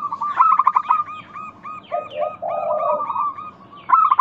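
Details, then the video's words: Local zebra dove lure song: a loud fast stutter, a spaced series of short notes, a low burring coo, then another stutter, over the faint twitter of other birds. "Pancingan Ampuh burung perkutut lokal bikin nyaut kutut sekampung Untuk Atasi macet bunyi"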